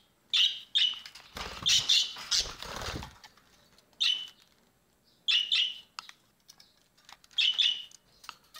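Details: Budgerigars (Melopsittacus undulatus) eating breakfast give sharp, high chirps in short bursts, with a spell of broad rustling between them.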